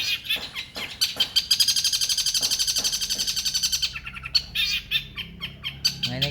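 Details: Captive award-winning long-tailed shrike, a contest bird, delivering its 'tembakan tengkek buto' style: a fast burst of sharp, harsh notes repeated about four per second for several seconds, with scattered chirps before and after and faint speech.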